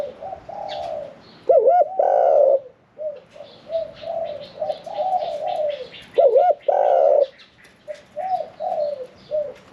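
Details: Spotted dove in a cage, 'khan yon 1 kuk' style and medium voice, with two loud rich coo phrases standing out above softer cooing from other doves and scattered high chirps.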